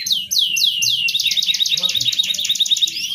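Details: Lure song of a canary for birds slow to breed: a series of descending whistled sweeps, then a very fast even trill of repeated notes lasting about two seconds.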